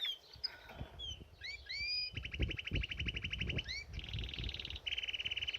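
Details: Canary singing while bathing in a birdbath: rising whistled slurs, then a fast rolled trill, a brighter high trill and a lower trill, with splashing water throughout.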